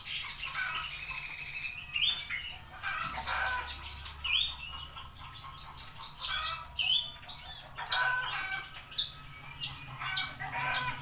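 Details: Javan bushlark delivering long, rich bursts of buzzy high trills alternating with short whistled notes and clipped chips. A constant low hum sits in the background.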